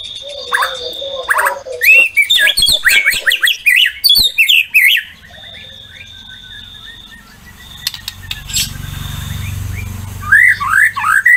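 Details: White-rumped shama (murai batu) in full song, used to prompt other shamas to sing: bursts of loud, varied whistled phrases with rapid trills and sliding notes, a quiet gap, then more rising whistles; a steady high tone underneath.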